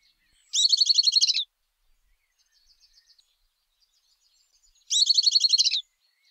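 A Southern beardless tyrannulet gives two quick, high chattering bursts of about a dozen bright notes each, roughly four seconds apart, with near silence between.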